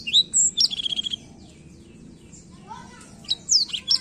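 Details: Black-throat song opening with a clear high whistle and a run of rapid repeated notes, then a quiet pause before more sharp high downslurred notes return.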